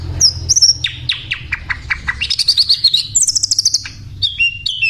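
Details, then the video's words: Hill Blue Flycatcher singing eagerly: a series of sharp down-slurred notes about five per second, then high warbling trills and a closing steady whistle, with little background noise. "sikatan Londo gacor"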